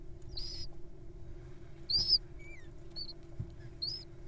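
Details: Wild little owls at feeding time, showing off their appetites: a few short, high, thin squeaky notes, some sliding downward, spaced across a few seconds over a steady low hum.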